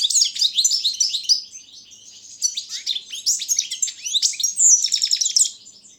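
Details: Balkan goldfinch singing in a 2016 online world championship organised in Serbia: six seconds of sustained high twittering, sliding chirps and tinkling notes, with a brief softer patch and a buzzy trill near the end.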